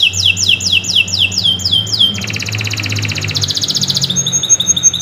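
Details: Canary in long continuous song for tutoring other birds: about eight quick downward-sweeping whistles in a row, then a fast buzzy trill, then a brighter high trill with thin whistles on top; faint low hum in the background.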